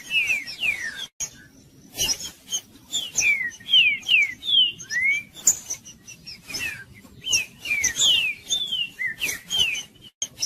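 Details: Green-winged saltator, trinca-ferro, Judas song used to stir up cold birds: a bright series of quick descending whistles and one upswept note, repeated in lively irregular phrases over soft background clicks.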